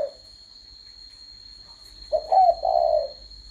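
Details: A single spotted dove phrase after near silence: two brief soft notes and then a longer, hoarse, rolling coo, with a faint steady high tone throughout.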